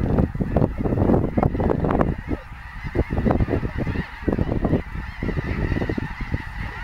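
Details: At Bosque del Apache National Wildlife Refuge, a wintering snow goose flock calls in loud waves of harsh, overlapping honks, surging and easing every second or two.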